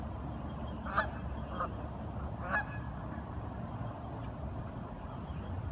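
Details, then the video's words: Curious ducks "talking" give a few short, nasal honking quacks, irregularly spaced about a second or so apart, over a steady low rumble of background noise. "Duck Sounds - Curious ducks talking"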